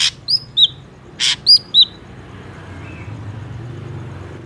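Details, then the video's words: Ashy drongo song used as a trapping lure: two harsh, broadband rasping bursts mixed with sharp, down-slurred whistled notes in quick succession, then low background rumble like passing traffic. "PANCINGAN SUARA BURUNG SRIGUNTING"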